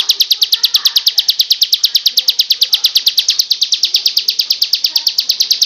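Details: Cristal-style song of a ciblek (bar-winged prinia), a rapid, even string of bright, high, clipped notes that pours on evenly from start to finish over a faint background.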